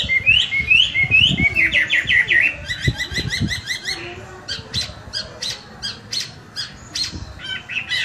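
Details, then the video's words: Chinese hwamei singing after bathing, described as competition quality: a loud, varied song of rising whistles, rapid repeated notes and sharp chattering phrases in quick bursts, with a faint background hum. "Hwamei Gacor Kualitas Lomba Selesai Mandi"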